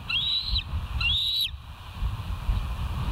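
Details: Bald eagle at the West End nest, recorded on a live camera on 18 August 2023 at 06:50; two high, thin whistled notes, each level then dropping, about a second apart, over low rumbling background noise.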